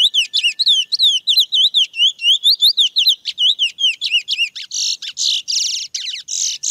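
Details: Fast, regularly repeated high whistled notes from a wild chestnut-bellied seed finch, mateiro song style, breaking into loud buzzy rasping bursts in the final seconds.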